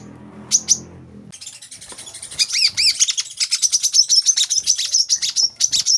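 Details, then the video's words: Olive-backed sunbird song: a brief pair of high notes, then a quiet stretch. A dense stream of thin, very high chirps follows, speeding into a quick twittering series. "masteran | kolibri kelapa"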